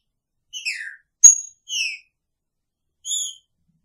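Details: Male green-winged saltator caged together with its female: a descending slurred whistle, a sharp snap, then two more clear whistled notes after a short gap.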